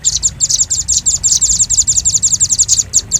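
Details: Velvet-fronted nuthatch for bird luring: a dense, almost continuous chatter of rapid high chips and ticks, loud and close, with slight pauses near the end.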